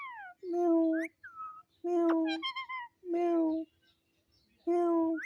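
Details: Pet talking parrot said to repeat its name gives four drawn-out, steady, voice-like syllables about a second apart, each followed by short rising whistled notes.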